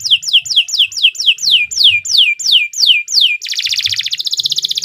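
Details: Long canary song used to train young birds: about eleven clear downward-sweeping whistles in steady succession, then a fast buzzy rattling trill.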